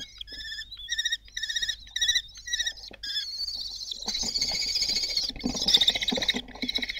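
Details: Kestrel family at Théding, France, 26 June 2022, young taking flight: loud, rich harmonic calls in short pulses about twice a second, then blurring into a continuous harsh screaming run with rustling noise underneath.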